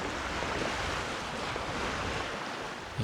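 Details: Steady surf and wind roar along a lakeshore, with broadband wave wash and microphone wind rumble throughout and no animal voices.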